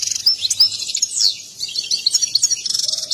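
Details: Excited European goldfinch singing while dancing, described as a mating song: rapid liquid twittering and tinkling notes, short buzzy trills and a burst of fast repeated chips at the end.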